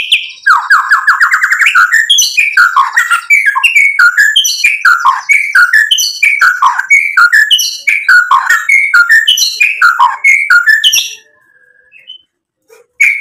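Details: Vigorous white-rumped shama song meant as a lure: about eleven seconds of quickly repeated downslurred whistled notes in varied pitches, fading into a brief quiet spell with a few stray notes.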